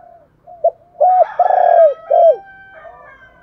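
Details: Decoy spotted dove giving its provoking call to excite wild doves: soft lead-in, a short note, then three low hollow coos, the middle one long and pulsing, with faint thin tones behind.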